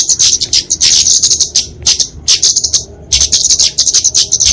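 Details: Flowerpecker giving a fighting song, used to train caged songbirds and to lure wild birds; loud, thin, high chirps packed into rapid twittering bursts, nearly continuous, with short pauses around two and three seconds.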